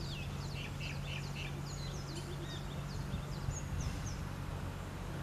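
Rose-ringed parakeets give quick, shrill, high squawks in overlapping bursts, busiest at the start, over a steady low rumble.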